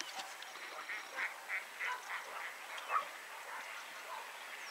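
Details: Velvet scoters (Melanitta fusca) at Rawa Mazowiecka: several birds give harsh, nasal croaks, overlapping at about three calls a second, over a steady background hiss.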